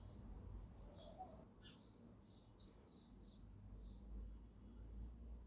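Sparrows give short, bright chirps, several birds overlapping at an irregular pace, with one louder chirp near the middle over a low background rumble.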